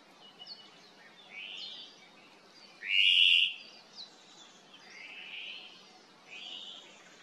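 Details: Hawaiian thrush (ʻōmaʻo) on the Kaulana Manu Nature Trail, Island of Hawaiʻi, calling to its cohorts: soft hoarse notes spaced through the recording around one loud, harsh rasping call in the middle, over steady background hiss.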